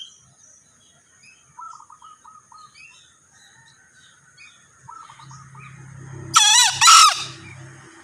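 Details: A male green junglefowl crows once, loud and hoarse in two quick parts, after several seconds of another bird's soft repeated hooked chirps and a low background hum.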